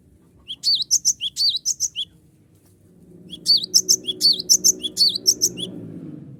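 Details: Cinereous tit lure song aimed at rival birds: a string of high, sharp whistled phrases, a one-second pause, then a second longer run of the same quick chirps over a rising low background hum.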